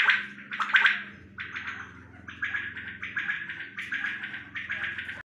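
A quail gives harsh, raspy bursts repeated about once a second, each a short burry phrase, over a steady low electrical hum.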